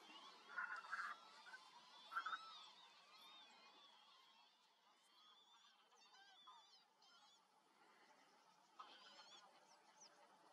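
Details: Northern lapwing at a breeding area in the Elbe valley near Boizenburg, giving a few loud, harsh, nasal calls in the first two seconds, then fainter wavering high calls, over a steady windy rumble.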